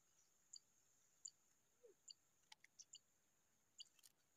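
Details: A hungry zitting cisticola (Cisticola juncidis) chick begs for food with thin, very high peeps, spaced irregularly about once a second, over a steady high hiss and a few soft clicks.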